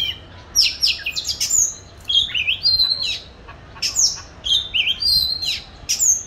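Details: Song of a captive oriental magpie-robin kept for singing practice: loud whistled notes sweeping up and down mixed with sharp chirps, delivered in bursts with short pauses over a constant low background noise.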